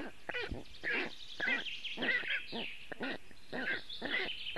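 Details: Storklets of the black stork, alone in their nest in Latvia on a very hot afternoon in June 2018, call for cooling: wheezy, stacked calls in quick irregular bursts, with songbirds chirping behind.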